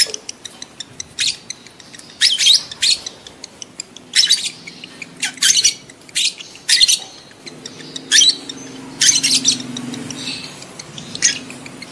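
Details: Lovebird calls used to stimulate adult lovebirds to mate: harsh, high, squeaky chirps in bursts of two or three, repeated about every second or two, over a low hum.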